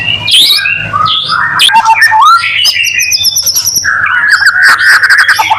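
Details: ['Varied white-rumped shama song used to make other shamas sing: quick chirps and upslurred whistles, a thin high trill, then a dense buzzy warbling passage, all loud and close.']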